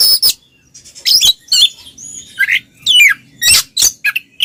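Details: Two Oriental magpie-robins singing in ngeplong style, meant to lure mute magpie-robins into singing: harsh buzzy bursts alternate with short high whistles and rising chirps, separated by brief pauses.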